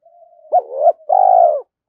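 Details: A morning spotted dove calls to provoke a rival. A faint steady hum leads into a sharp coo and a rising note, then a long, trembling, slowly falling croon.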